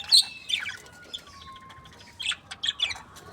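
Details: Budgerigar breeding pair, described as happy, giving short chirps at the start and end with a long, thin, steady whistled note falling slightly in between.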